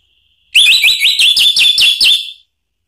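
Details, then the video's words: Orange-headed thrush song meant to provoke rival birds: a loud, quick string of about eight sharp, upward-flicking whistled notes, evenly spaced and lasting about two seconds. "isian TAJAM !!! bikin ANIS MERAH EMOSI NYAUT NGEPLONG ¦ PANCINGAN AM"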